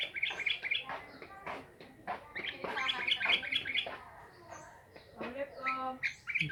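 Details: Sooty-headed bulbul: a busy run of short bright chirps and bubbly whistled notes, mostly high and overlapping in dense bursts, with brief quieter gaps between clusters.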